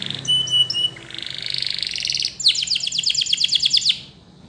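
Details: Belgian canary singing, used for canary song training. Brief clear whistled notes give way to a soft fast buzzing roll, then a loud sustained run of rapid, evenly repeated high chips forming a rolling trill that fades out.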